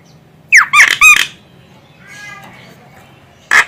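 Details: Female Javan myna calling, a sound used to lure birds: a quick run of loud, harsh, raspy squawks, then a softer nasal note and one final rasping squawk, in a quiet setting.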